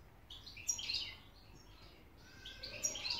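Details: An excited European goldfinch in Hamburg, Germany, sings a tinkling run of quick twittering notes and bright buzzy trills, high-pitched and rapid, over a faint low background hum.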